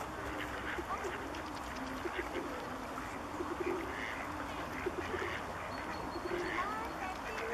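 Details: A flock of Bewick's swans in České Budějovice, Czech Republic, in February 2014 keeps up a steady babble of soft yelping honks, overlapping and irregular, with a few clearer bugling notes above.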